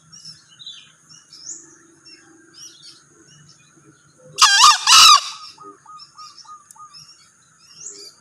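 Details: Male green junglefowl crow: two loud, rasping, squealing bursts in quick succession. A short series of soft repeated notes follows, with faint chirps of other birds and a high whine in the background.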